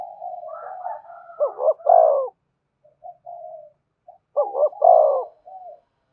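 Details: Spotted dove cooing as a lure for wild doves: a drawn-out soft coo run builds into stressed double coos, then a pause, quieter notes and another emphatic coo phrase.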